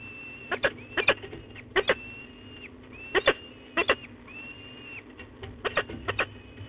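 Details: Peregrine falcons at De Mortel, recorded 12 May 2021, giving harsh, sharp calls in quick pairs and short bursts, repeated irregularly across a few seconds, with thin steady whistled tones and low hum underneath.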